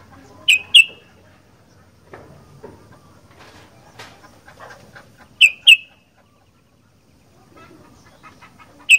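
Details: Sooty-headed bulbul, described as a chatty fighter-style singer, giving loud, short, bright notes in quick pairs near the start and again mid-way, with a single note at the end and faint scratchy background sounds between.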